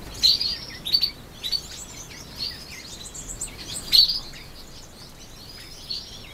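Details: Young brown quail chicks, just one day old, in October 2014, with bright piercing peeps at first, then a stronger burst midway and a lone chirp near the end.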